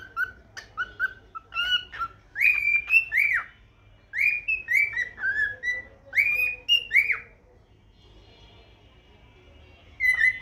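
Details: Cockatiel kept as a pet singing a morning song: clear whistled notes rising and falling, mixed with brief chirps, delivered in phrases with a quiet gap before a final rising whistle.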